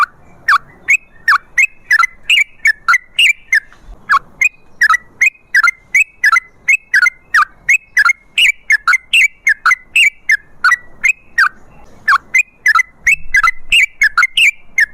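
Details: Trucukan (sooty-headed bulbul) in long 'ropel' song for luring bulbuls: a steady stream of brief bubbly whistled notes, roughly three per second, continuing throughout with slight pitch changes.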